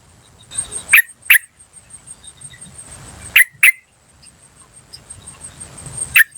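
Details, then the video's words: Wild yellow-vented bulbul calling 'cuk cuk' in two close-spaced pairs, then one final note, against a steady high hum and quiet background rustle. "PANCINGAN TRUCUKAN BAHAN Asli Suara Alam Liar CUK CUK CUK memanggil"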